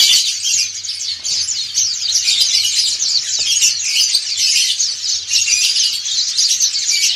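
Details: Dakun and montanus white-eyes sing ngriwik in a crowd. Thin, high, rapid chirps and short trills pile into a seamless chorus that rises a little in strength over time, with a faint steady hum below.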